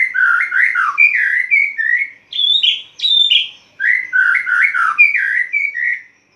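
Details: Caged white-rumped shama in full dawn song after its cage cover is opened: rich, loud, varied whistled phrases that swoop up and down, broken by short pauses, with a few higher ringing notes in the middle.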